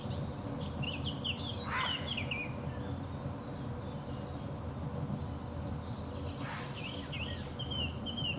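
A young common kingfisher gives two bursts of quick, shrill, high chirps a few seconds apart, over a steady low rumble of background noise.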